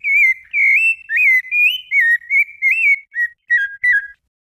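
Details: Rufous-bellied thrush (sabiá-laranjeira) giving its Brumado-style fluted song: a string of about ten clear whistled phrases, some slurred and warbling, with the last few notes shorter and spaced out before the bird falls silent.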